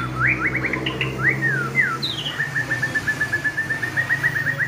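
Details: Loud, ringing song of a white-rumped shama: several rich, swooping whistles followed by a long rapid train of short, evenly repeated notes, with a faint low hum behind.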